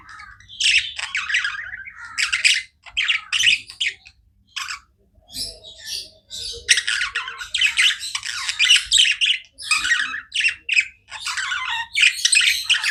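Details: Tame budgies chirping: bursts of raspy, buzzy chatter with sharp high squeaks, separated by a few quiet gaps before resuming in dense runs.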